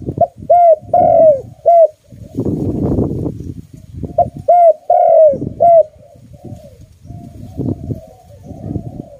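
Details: Loud calling of a pet dove: two bursts of short arched coos, about three or four each, separated by a patch of rough low noise, with more rumbling toward the end.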